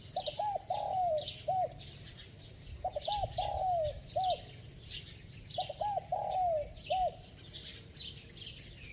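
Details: Bell-voiced spotted dove in fast, insistent cooing. Three evenly repeated phrases roughly every 2.8 seconds, each made of low hooked notes, a long gliding coo and a short end note. Light background birdsong.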